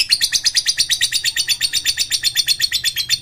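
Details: Lovebird chattering continuously as a lure for silent lovebirds: a steady run of high, rasping pulses, around seven per second, with no break throughout.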